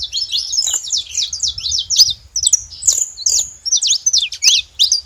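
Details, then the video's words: Wild saffron finch singing a quick, varied run of shrill chirps, whistled slurs and sharp clicks, phrases separated by brief gaps, with a faint low hum. "canário da terra livre na natureza com belo cantos"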